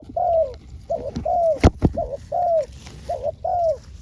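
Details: Spotted dove used as a decoy for luring wild doves in Thailand; soft, mellow coos, each a short falling phrase repeated about every half second, broken by two loud knocking thumps midway.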